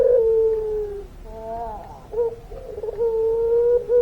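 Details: Long-voiced puter pelung dove: a sustained, even coo that sinks at its end, then soft quavering, bending notes and brief pulses, closing with another long steady coo.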